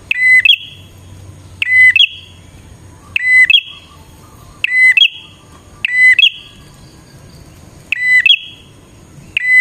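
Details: Bar-winged prinia song for luring wild prinias: seven near-identical phrases, each about every 1.5 seconds, made of a snappy note, a flat whistle and a fast rising trill ending in a held buzz. Quiet pauses separate them.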